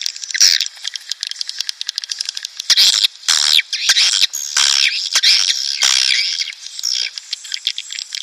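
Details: High buzzy swiftlet chatter with sharp rattling clicks and longer harsh squeals, played to lure courting swiftlets or a colony into a nest building.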